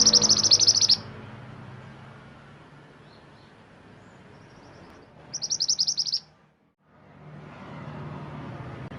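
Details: Mantenan gunung bird song for training and therapy of songbirds: a short, loud, high rapid trill, a long quieter gap with faint soft notes, then a second similar trill before a brief silence.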